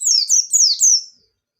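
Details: White-eye singing in the persistent 'ngalas nembak' style, used as a lure to get young birds singing: one short burst of three or four high, sweet, downward-slurred whistled notes lasting about a second, then silence.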